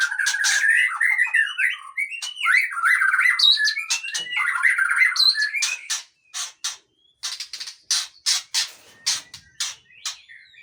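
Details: White-rumped shama, long-tailed Aceh type, pouring out a continuous varied warble of whistled slurs for six seconds, then a series of sharp ticking clicks.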